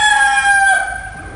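A rooster crows, one loud, harmonically rich note held steady before it drops and trails off, with nothing else clearly heard.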